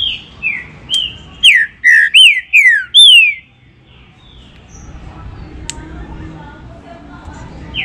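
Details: Trinca-ferro, the Green-winged saltator, singing to excite caged birds: soft opening whistles, then a loud run of five descending slurred whistles within two seconds, then quiet with a faint high note and a click.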